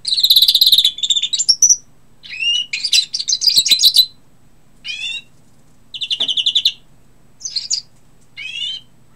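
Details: European greenfinch song in separate bursts: fast rattling trills, slurred rising and falling twitters and short chirp series, with brief pauses between phrases.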